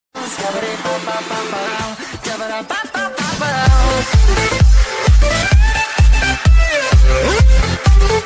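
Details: Electronic dance music with a steady thumping beat and bright synth melody, with no animal voice.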